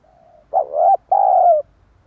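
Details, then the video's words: Spotted dove coo played to attract wild doves: a brief quiet note, a pause, then a loud two-part phrase, a rising hooked note followed by a longer, level, slowly falling coo. "Chim cu gáy kích bổi nhanh nổi hiệu quả"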